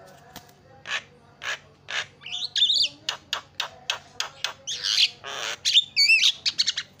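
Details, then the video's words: Javan myna song from a training recording for mynas: a varied, hurried mix of harsh rasping notes, short clicks and squeaky, warbled whistles delivered in quick, irregular succession. "KICAUAN JALAK SUPER MANTAP"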